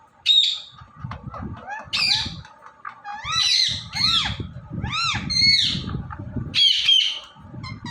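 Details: Indian ringneck parrot, filmed talking and dancing, utters a string of short, clear, rising and falling voice-like syllables with tonal harmonics, spaced irregularly over low background hum.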